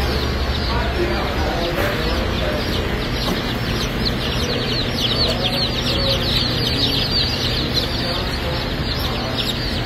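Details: Many newly hatched Bielefelder chicks, a German auto-sexing chicken breed, peep together at a hatchery in a steady chorus of high, shrill cheeps, several per second, over a low mechanical hum.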